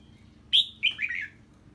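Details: Short 'ché' song from a red-whiskered bulbul responding to an unfamiliar bird: a loud bright opening note followed by a tumbling run of quick, lower slurred notes.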